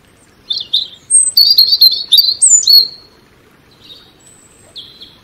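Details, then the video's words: Song of a European robin: scattered thin notes leading into a loud rapid jumble of high trills and warbles, then quieter isolated whistles trailing off in a calm setting. "Relaxing Birdsong European Robin"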